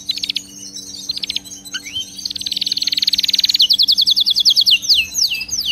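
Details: Canary song used for training pet canaries to sing without stopping: short clipped trills, then a long dense buzzing roll that breaks into a quick series of descending whistled sweeps, bright and high, over a faint hum.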